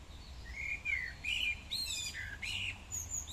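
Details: A common starling sings in a park in fine weather, a varied run of slurred whistles and sharp, high chattering notes changing every half second, over a faint low rumble.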